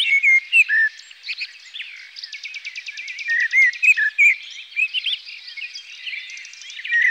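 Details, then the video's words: Common blackbird song: short, mellow, fluty phrases with higher squeaky twitters, set against a busy chorus of rapid, high trills from other birds. "Common blackbird"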